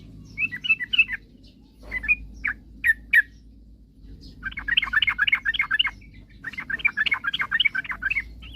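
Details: Yellow-vented bulbul in lively, full song, used to provoke rival birds into singing quickly. Short bubbly chirped phrases, then two dense bursts of rapid gurgling notes packed closely together. A low hum sits underneath.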